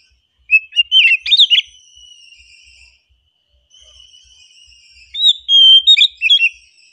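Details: Oriental magpie-robin in calm song, opening with a rich burst of whistled notes, followed by long, thin sustained tones, then a closing phrase of clear whistles and quick slurred notes.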